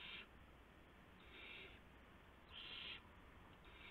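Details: Owlets at night while adult owls deliver mice and a gopher, March 19, 2016, after midnight; three rasping, breathy screeches of about half a second each, the last loudest, over constant low background hum.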